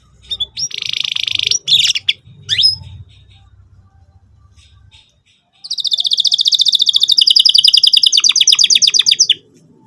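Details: Canary song used as a lure for young canaries learning to sing: a few short chirps, then after a pause a long, fast, even trill of bright high notes lasting about four seconds, with low background rumble early on.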